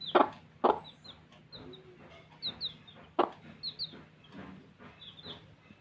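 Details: Baby chicks at play, scattered high falling peeps in pairs among loud broadband thumps and scratching noises.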